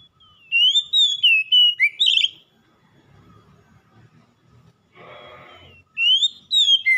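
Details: Oriental magpie-robin singing persistently, played to prompt a lazy bird to sing: rich, sweeping whistled notes mixed with rapid chirps in a two-second phrase, a short burst of rustling noise during the pause, then whistling resumes.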